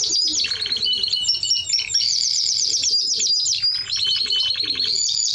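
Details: Spanish Timbrado canary in full song, chaining rapid metallic rolls and sharp whistles, with a brief lower buzzing trill midway and a quick staccato series of notes near the end.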